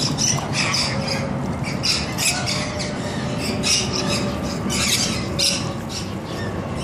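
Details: Bathing rainbow lorikeets at an ostrich ranch chatter in shrill, grating screeches, dense bursts every half second or so, with low rumbling background noise.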